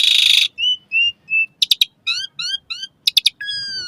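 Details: Song of the Asian pied starling used to coax caged birds into singing at dawn or evening; a loud rasp opens, then clear level whistles, sharp clicks and slurred downward notes repeated in short runs.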